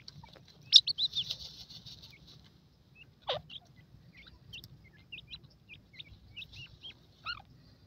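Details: Young grey francolins peep in brief, thin, high notes: an early trilling flutter, then isolated chirps every half second or so over a quiet background with faint low rumble.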